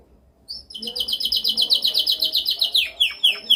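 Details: Canary's dominant training song, a rapid even trill of sharp repeated notes, about four per second in rolling pulses, running steadily before breaking into several steep downward-swept notes at the end.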